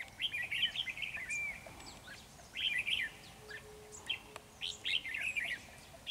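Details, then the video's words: Ché red-whiskered bulbul in full dueling song at a trap with a decoy bird: rapid rolling warbled phrases, a brief falling whistle, then further bursts of chirpy notes. "Bẫy chào mào Ché căng xòe áp đảo mồi"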